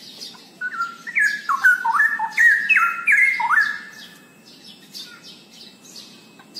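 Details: Cucak rowo, the straw-headed bulbul, delivering a fast, gushing run of mellow whistled notes that step up and down in pitch for about three seconds, then fades to quiet background hiss.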